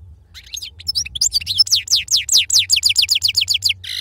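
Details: Song of a European goldfinch of authentic wild-type stock, Sarfati style: scattered chips build into a long run of sharp, descending whistled notes repeated about three times a second, ending in a brief buzzy burst, over faint low hum.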